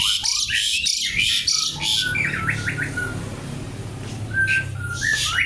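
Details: Javan pied starling song opening with a burst of loud harsh squawks and chatter, then a short stuttering rattle of whistled notes and sparse calls, over a low hum.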